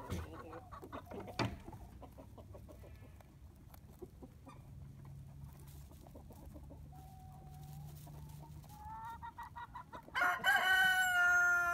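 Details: On a farm in spring, a rooster bursts into a loud, harsh crow after a stretch of soft, low clucking.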